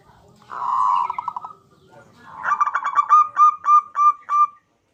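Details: Zebra dove, Geopelia striata, known as perkutut, gives a harsh rolling buzz with fading stutters, then a run of clear cooing notes that slow and spread out toward the end.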